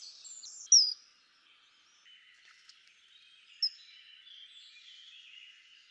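A common kingfisher gives two shrill, piercing high whistles about three seconds apart, over a soft background of faint chirping and rustling.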